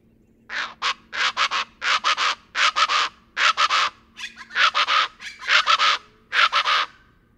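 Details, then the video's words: Plain chachalaca calling: loud, harsh, raspy notes grouped in clusters of two to four, the clusters repeated roughly every half second to second for about seven seconds, with a faint steady low hum behind. "kicauan burung Plain chachalaca"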